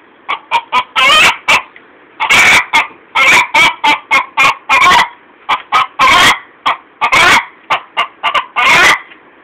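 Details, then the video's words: Hen calling after laying an egg: loud, harsh squawking clucks in rapid bursts, short cackles building into longer drawn-out squawks, repeated steadily throughout with no other sounds. "Chicken noise after egg laying!"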